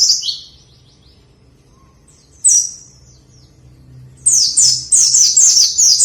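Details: White-eye for prompting a quiet bird to sing: scattered high slurred notes and a short chirp early on, followed by a lively run of rapid, high, repeated down-slurred twitters in the last two seconds.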